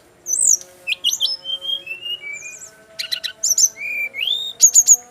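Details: Brown-chested jungle flycatcher, a male from Bali, singing clear sliding whistles on different pitches. These are interspersed with buzzy rattles and a final rapid triple chirp, over a faint steady hum.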